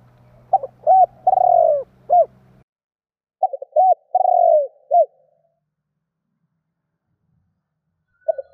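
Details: Spotted dove giving its provoking call to draw wild doves, repeated phrases of low mellow coos with one long falling note; a low hum underlies the first phrase, then silence.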